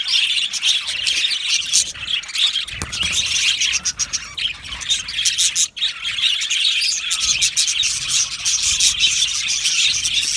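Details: An aviary colony of Australian budgies in happy song: dense, high chattering warbles and sharp chirps keep going steadily, with a brief dip just before the six-second mark.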